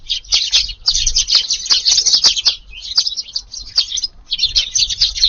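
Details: Eurasian tree sparrows descend all at once on a garden in Japan to eat at dusk on 22 July. Bright, rasping chirps pour out in dense bursts with a short lull around the fourth second before the chatter resumes.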